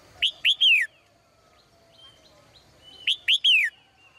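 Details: Caged female bird at morning: two bursts of three loud, clear, slurred descending chirps, each burst about three seconds apart, with faint whistles and chatter of other birds in between.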